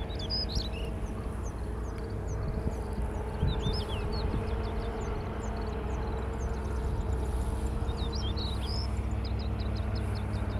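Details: Siberian stonechat singing in June 2022 beneath an overcast sky threatening rain; short, scratchy high-pitched chirping phrases recur throughout, set against a steady low rumble like machinery or traffic.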